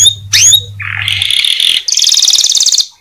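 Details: Atlantic canary song meant to encourage other canaries to sing: a sharp upward-sweeping note, then a loud buzzy rasping stretch, then a shrill even trill; brief low hum at the start.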